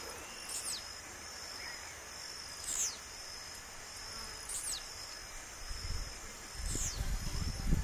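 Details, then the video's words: A wild blue-black grassquit sings short, sharp, buzzy downslurred notes about every two seconds, over a steady high insect drone and some low rumbling near the end. "SÓ OS TIZIU MAIS TOP CANTANDO MUITO NA NATUREZA"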